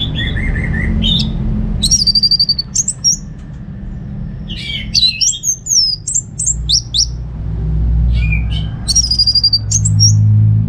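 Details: Caged orange-headed thrush from Singaraja, North Bali, in receh-style song used as a lure and tutor for other birds. Bursts of sharp, high, stuttering notes, about four per second, separated by pauses, over a constant low rumble.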